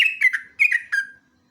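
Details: Sooty-headed bulbul singing in a lively chattering style, used as a lure and master recording: fluttering whistled notes near the same pitch, four quick bursts within about a second, then silence.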